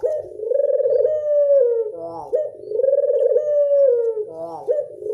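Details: Classic 'angungan' coo of a local Barbary dove: long, even, throaty rolled notes, each closing with a brief descending trill before the next begins, about two full phrases over five seconds.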